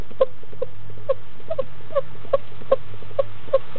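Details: Barred owlet in Florida, hatched around 6 am and feeding eagerly on its second meal at 10 am, February 2015. Sharp, short peeping notes come in an uneven run, roughly two per second, over a constant low background hum.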